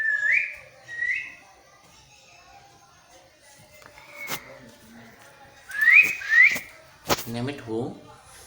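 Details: Parrot imitating a cat's meow: short whistled calls that sweep upward, two near the start and two more after a quiet stretch, with sharp clicks and a lower, nasal sound at the end, in a small room.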